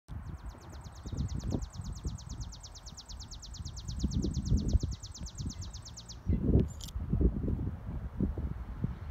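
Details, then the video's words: A sparrow singing: a rapid, even, high trill of identical pulses held for about six seconds before stopping abruptly, a brief high note after, over steady low rumbling wind and traffic noise. "Sparrow singing"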